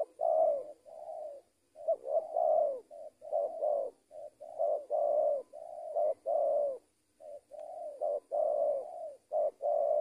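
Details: Continuous cooing from a trained decoy spotted dove: mellow short and long hooting notes run together in rapid phrases with only brief breaks, over a faint steady high-pitched whine.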